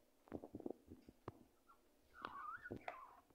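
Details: Pet budgerigar singing, quiet soft clicks and short chattering notes, then a wavering, warbled whistle that rises and falls for about a second, with a low room hum underneath.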